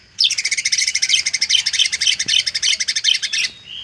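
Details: White-rumped shama 'isian' song used as a lure for shamas slow to sing: a sustained run of rapid, evenly repeated sharp notes, about eight per second, ending abruptly with a brief whistle.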